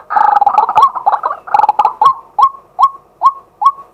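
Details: Daytime calling by a male White-breasted waterhen, recorded live on a fixed camera: a burst of harsh, overlapping croaks settles into evenly spaced, short upslurred notes, each about 0.4 seconds apart.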